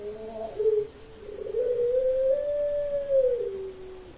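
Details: Puter Pelung dove in an October 2021 online song contest, Sragen, Indonesia: short opening notes, then a long, gently arching sustained coo over noticeable background hiss.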